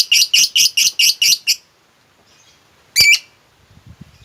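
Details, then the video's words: Lovebird giving a short run of seven shrill, buzzy repeated notes, then a pause and one loud harsh squeak; used as a lure to make a silent lovebird sing, with faint low rustling at the end. "lovebirdmu loyo malas bunyi jadi gacor ngekek panjang seketika dengan pancingan ini"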